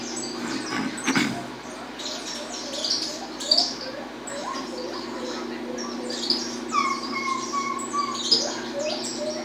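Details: Peruvian saffron finch singing in the 'estalando' style: bursts of short, high chirps and clicks, with lower whistled slurs from another bird and a brief thump near the start.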